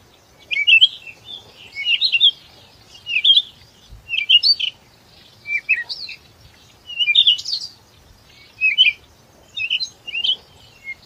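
A chickadee gives quick, high, scratchy chip-and-twitter notes in bursts about once a second, with faint low background noise.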